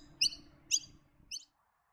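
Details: Three harsh, high chipping notes from a Noisy Miner near Gatton in the Lockyer Valley at about half-second intervals, its alarm call signalling a bird of prey nearby, over a faint low hum.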